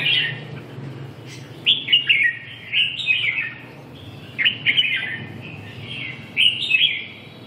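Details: Red-whiskered bulbul song of lively, chirpy whistled phrases, each about a second long, given four times with short gaps, over a constant low electrical hum.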